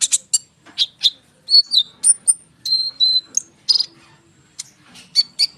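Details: Konin bird in lively, continuous rolling song used as a lure for sunbirds: rapid high chirps and short whistled notes, some steady pure tones, delivered in quick uneven bursts.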